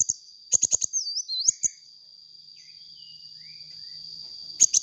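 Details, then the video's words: Sunbird in vigorous voice, meant as a lure: rapid high chirps followed by a sliding, looping whistle, a quiet gap, then more sharp chirps at the end, a steady high whine beneath throughout. "suara burung kolibri gacor untuk pancingan bunyi kolibri bahan"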